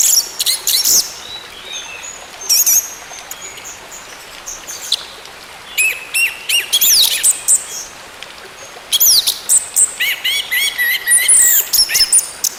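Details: Song of an orange-headed thrush, offered as therapy to get a non-singing bird going again: loud rich bursts of chirps, trills and sweeping whistles, with a long near-silent stretch midway before a busy final phrase.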